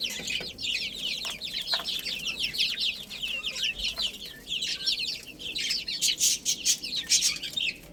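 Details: Chicken chicks at play and feeding, their thin piercing peeps falling in pitch and crowding together in a steady stream, punctuated by quick dry knocking sounds.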